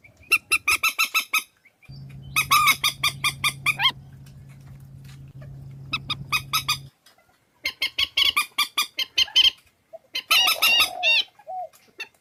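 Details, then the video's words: Swamphen lure recording with runs of loud, harsh, honking notes delivered in quick series, separated by pauses, with a steady low hum running beneath the middle section. "Tiếng trích ghép mòi"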